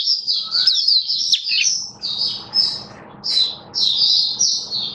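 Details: Oriental white-eye kept as a cage bird, recorded October 2022. Loud, high twittered phrases of buzzy chirps come in bursts separated by short pauses, over a soft steady background hum.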